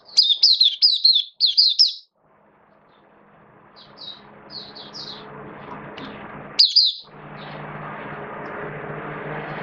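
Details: Oriental white-eye (mata puteh) in the bird hobby, a kept bird with form dipped a little, opening song: high, thin chirpy twitter in quick bursts for two seconds, then scattered faint notes and one brief burst over steady low hum.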